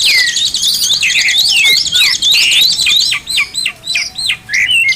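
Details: Oriental magpie-robin song used for tutoring kept birds: a fast, continuous run of sharp rising and falling whistled notes, densely repeated, with loud rapid chatter throughout.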